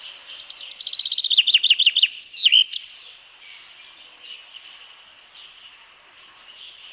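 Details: Forest-dwelling Common Chaffinch in Wielkopolski National Park, Poland, around 1990, delivers a fast descending trill of crisp repeated notes that swells in volume, closing with a short twisting flourish; thin high chirps from other birds follow.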